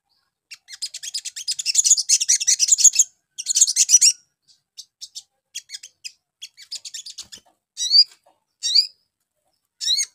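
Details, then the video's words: Crimson sunbird singing as a lure for young birds: two long, dense high-pitched twittering trills, then scattered ticking notes and three separate sharp rising chips. "PANCINGAN SOGON BAHAN CEPAT NYAUT"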